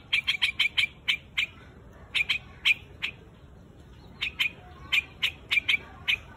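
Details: A white-headed quạch mốc calls to its flock in bursts of sharp chipping notes: a quick cluster at first, then scattered single and paired chips with short silent gaps between.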